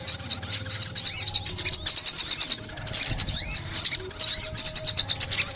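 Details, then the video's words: Sunbird song used for trapping the bird: rapid high, thin chirps and quick rising-falling twittered notes in dense bursts, with short pauses near two and four seconds. "Tiếng Chim Ốc Mít"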